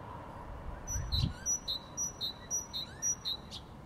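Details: Sparrow chirping: a steady run of about eight short, bright, high chirps spaced roughly a quarter second apart, after a brief low rumble and faint background hiss at the start.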